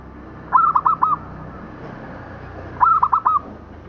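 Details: Local zebra dove song recorded for training: two soft, warbling coo phrases about two seconds apart, each a quick series of four low hollow notes closing on a longer tone, over a faint steady hum.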